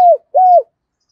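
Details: Decoy spotted dove, thổ đồng voice style, calling to stir wild doves. Just two mellow, level coo notes, each falling away at the end, separated by a short gap.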